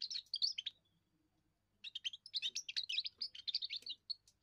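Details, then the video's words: Young European goldfinch giving its first song, sung to defend territory and attract females: rapid twittering, buzzy notes around high pitch, a short burst, a pause of about a second, then a longer run of quick tinkling chirps. "first song of a young goldfinch amazing wonderful singing"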